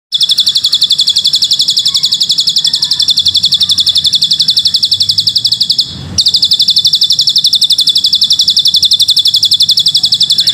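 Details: A Bar-winged Prinia (ciblek gunung), in audio made to train young birds and featuring cililin-style song material, pours out a high, dry, rapid trill of even notes, about four per second, unbroken apart from one brief pause.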